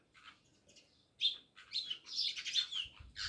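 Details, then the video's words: House sparrows at a Jamnagar village house start with faint scattered notes, then break into louder rapid chirping, high and buzzy, with low rumbling thumps near the close. "Natural Sound Of Sparrows | House sparrows Chirping"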